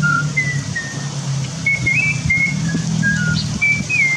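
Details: Wild starling, locally called cucak keling, recorded in forest: short clear whistled notes, some flat and some rising or slurred, given in quick loose succession over low background rumble.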